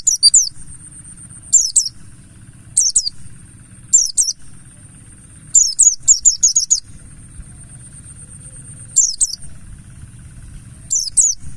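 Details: Lure recording of a Buxtoni mountain white-eye in 'ngalas' style: repeated clusters of thin, high, falling chirps roughly every second, with one denser run of rapid notes midway, over a constant low drone.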